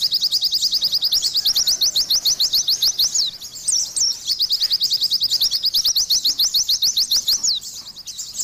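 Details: High, rapid chirping from an Oriental white-eye in continuous gacor song, a short softer gap midway with a couple of looping whistles, then the fast twittering run returns.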